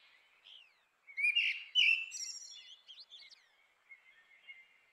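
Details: Grey-winged blackbird song: a soft opening whistle, then a loud, rich burst of fluty, warbled notes that break into quieter high twitters and thin trailing chirps. The background is otherwise quiet.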